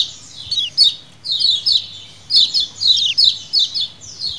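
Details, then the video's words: Lemon-bellied white-eyes in colony-style calling used as a lure, loud busy bursts of high, thin descending chirps tumbling over one another, several bursts each second. "CIAKAN KECIAL KUNING KOLONI ALA ALAM BEBAS"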